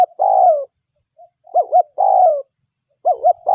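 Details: Local spotted dove used as a lure call. Two long falling coos, each preceded by a pair of short curved notes, repeat with brief silent pauses and a soft faint note between them.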